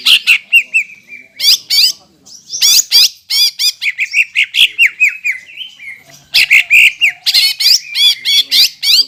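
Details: Greater green leafbird in vigorous song, played to provoke rival green leafbirds into singing: dense fast sequences of sharp whistles, buzzy chatter and trilled phrases with brief pauses, nearly continuous over nine seconds.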